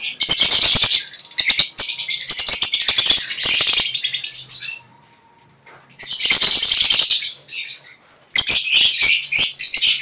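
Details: Colony-caged breeding lovebirds produce loud bursts of piercing, overlapping chirps and squeals lasting a few seconds each, broken by near-silent pauses, with a faint low hum and scattered clicking in the background.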